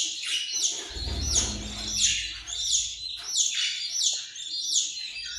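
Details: Australian parrot calling in a steady chain of harsh, grating notes about every three-quarters of a second, each with a downward slur, over a brief low rumble near the start.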